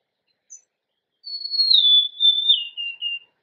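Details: Clean whistled phrase from a golden-crowned sparrow: a long high note easing down through three drawn-out steps, preceded by one tiny soft chip, with silence around it.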